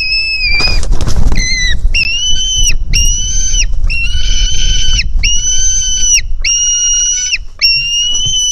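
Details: White-tailed eagle chick at its nest, hungry and jumping to its mother on 4 July 2018, recorded by a live camera: a run of sustained, shrill piping whistles, steady in pitch, repeated almost continuously after a short rustle.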